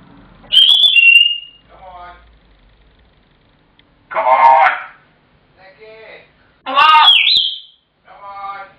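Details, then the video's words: Pet African grey parrot shouting indoors when its owner returns from work, continuing until fed: a bright whistled note near the start, then harsh squawks and a rising-falling whistle, with softer chattering calls between. "Billy The African Grey Shouting"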